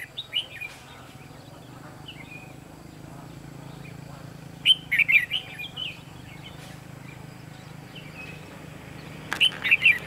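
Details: Red-whiskered bulbul used as a decoy during bird trapping, recorded 23 October 2016; short bursts of bright, warbled whistling notes come at roughly half, five and nine and a half seconds, separated by quiet gaps with faint low background hum.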